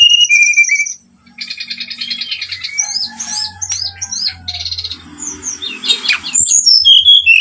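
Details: Brown-chested jungle flycatcher lure song meant to provoke birds into fighting, in rattling, popping style: high clear whistles, rapid buzzy trills and sharp chirps in varied bursts, a short pause near one second, with faint low hum underneath.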